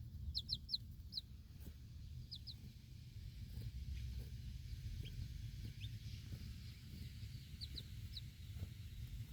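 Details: Backyard mother hen standing with her four baby chicks outdoors at feeding time, staying alert; high, thin chick peeps in quick pairs and short bursts over a steady low rumble of wind or handling noise.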